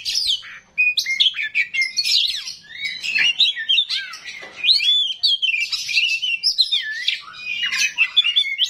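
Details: Oriental magpie-robin, called kacer rawit, singing a harsh, busy song of rapid twitters, sweeping whistles and grating notes, after a brief quiet opening.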